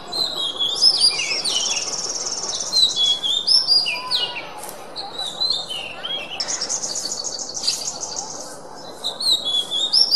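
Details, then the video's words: An Oriental magpie-robin sings a rich, varied run of high whistles, sharp chips and buzzy trills in quick bursts, with short pauses between phrases. "Suara Kacer"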